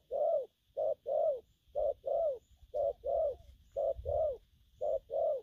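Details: Spotted dove, caught from the wild, cooing gù phóng and gù lăn style: rhythmic low coos in pairs, a brief note followed by a fuller falling one, roughly one pair per second over soft low rumble.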